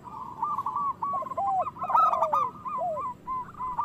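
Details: Zebra dove, local type, in song meant to spur other doves to sing and breed: a running stream of quick, even coos at one pitch, woven with lower arched and sliding notes, loudest near the middle.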